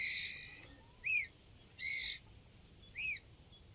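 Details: Young white-rumped shama (murai batu) giving three short arched whistles about a second apart, with one harsh noisy burst, against background hiss.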